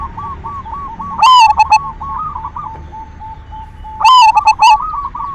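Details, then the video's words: Silver zebra dove singing actively as a lure to stimulate other doves to sing: two loud, ringing cooing phrases of a rolled note followed by quick clipped notes, about three seconds apart, with softer dove coos filling the gaps. "Perkutut silver gacor SUARA PANCINGAN cocok buat merangsang BIRAHI BUNYI"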